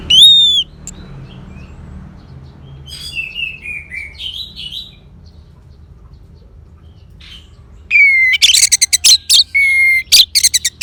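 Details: Orange-headed thrush singing, used as a prompt to make a silent bird sing strongly: one loud downslurred whistle, soft descending warbles, a quiet gap, then a loud run of sharp notes and rich slurred whistles.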